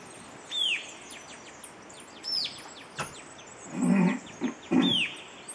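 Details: White-capped tanagers near a house in the morning after roosting overnight in a big oak, Río Blanco, Central Andes, Colombia, October: loud, shrill down-slurred shrieks about every two seconds over faint thin chirps and low thumping.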